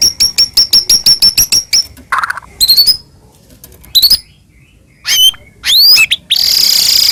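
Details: White-rumped shama, a Medan-type songbird, singing in a lure recording meant to make other shamas sing and become agitated: a rapid series of sharp high chips, then varied whistled phrases, upslurred notes and a harsh buzzy burst.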